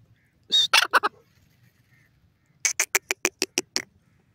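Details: A partridge (dakhni teetar), a francolin from Pakistan, gives harsh, grating notes: a short burst of four or five, then after a pause a faster run of about eight evenly spaced, loud notes.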